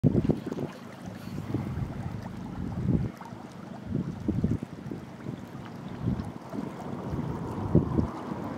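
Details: Gusty wind buffets the microphone in repeated low thumping bursts, with no animal voice heard.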